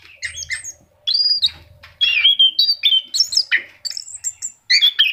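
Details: Orange-headed thrush, a kept songbird, in full lively song used as a lure to get other caged birds singing: varied loud whistled and buzzy phrases, sliding notes and rapid mimic-like chatter with short pauses, faint low hum beneath.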